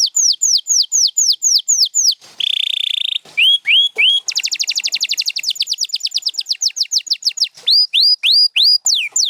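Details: Champion canary from a set featuring Gloster and Spanish Timbrado birds sings evenly spaced falling whistles, a buzzy roll, rising slurs, a fast trill, then more repeated whistled phrases.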